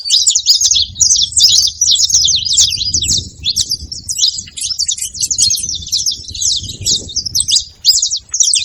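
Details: Wild saffron finches noisily crowding a feeding spot: a continuous tangle of quick high chirps and buzzy twitters from many birds, over a faint low background rumble.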